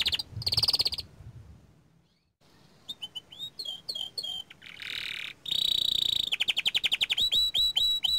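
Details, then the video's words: Young canary song, starting with a loud rolled burst and low background noise, then a pause, scattered whistles, a buzzy trill and a fast run of rising chirps. "Kicauan Burung Kenari Muda Gacor Standart Kecil"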